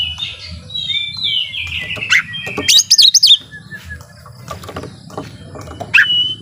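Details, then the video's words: Oriental magpie-robin singing in a lively mood said to rile up rival birds: long sliding whistles, a burst of high rapid trilled notes near the middle and a sharp note near the end, over steady low rumbling background noise. "Suara Kacer Gacor Ini Bikin Lawan Jadi Emosi Narung On"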